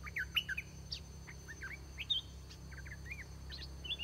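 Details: Red-whiskered bulbul, a caged decoy used to lure wild birds, in song: short warbled, up-and-down notes in quick uneven bursts, with a steady low hum underneath.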